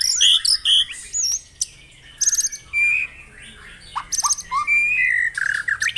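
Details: White-rumped shama morning song used to prompt caged birds: separate bursts of buzzy trills and crisp whistled twists, with short pauses between phrases and a few rising slurs near the end.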